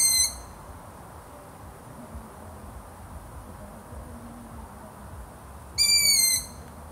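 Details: Long-eared owl: the tail of one thin screeching call at the start, then a long quiet stretch of faint hum, then a second high, harsh, slightly descending squeal lasting about half a second.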